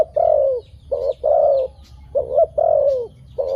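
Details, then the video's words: A dove gives low, hollow coos, each falling slightly in pitch and lasting about half a second, in uneven pairs with brief pauses. "Good sound dove.Bunyi merpati yang bagus"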